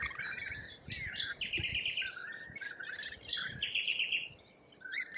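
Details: Lorikeets in Australia, a flock calling: harsh, buzzy screeches and shrill chatter overlapping without pause, several birds at once, rising and falling in busy bursts.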